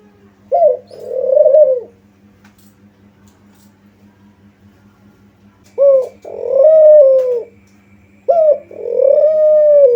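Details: A spotted dove gives its lure call: three two-part phrases, each a quick clipped note and a sustained, gently falling coo, with a long quiet pause after the first and a low steady hum throughout.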